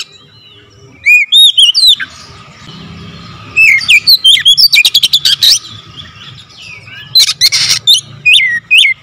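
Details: Oriental magpie-robin singing in rapid, dense bursts with full variation fills: loud whistled upslurs and downslurs, quick ringing note series, and buzzy rattles broken by short pauses. A faint low hum runs beneath.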